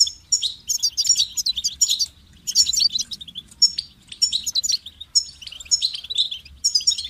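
A goldfinch sings a fast, tinkling twitter of high liquid notes and buzzy trills in bursts of a second or so, with only a faint low hum behind.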